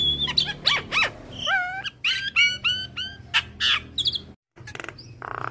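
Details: Javan myna master song with full mimicry fill-ins for teaching other mynas: a run of upslurred and wavy harmonic whistles, several quick repeated notes, a brief silence, then buzzy chatter.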